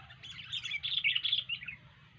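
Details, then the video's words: Sooty-headed bulbul giving a lively warbled phrase of tumbling chirps at a fairly high pitch, set against constant low-pitched background noise. "Burung kutilang Gacor"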